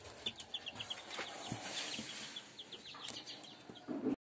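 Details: German Shamo chicks peeping in a steady stream of high short cheeps, with broad hissy noise and occasional knocks, ending in a louder thump.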